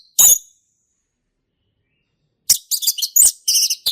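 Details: Wild male orange-headed thrush in the ngeplong style: one short sharp note, a long silence, then a dense run of harsh, high chattering notes.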